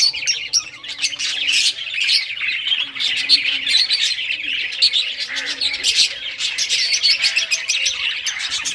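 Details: Multiple budgerigars in rare colours chatter as they play with toys, giving a steady stream of high warbled chirps and short squawks, with clicks of toy movement mixed in.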